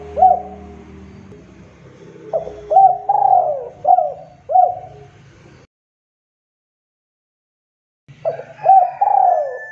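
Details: Lively male spotted dove cooing to draw other doves into calling: a run of four or five throaty, rounded coos, a drawn-out burry note among them, then silence before a fresh phrase starts. Low rumbling background beneath.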